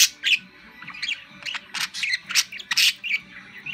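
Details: Pet budgerigar at home, chattering contentedly while hopping side to side; a quick run of squeaky, scratchy chirps and bright bursts, uneven in rhythm, with short pauses between clusters.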